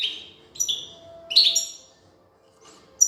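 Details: European goldfinch, a female feeding her chicks; a few bright, high chirps with buzzy overtones, spaced by quiet gaps.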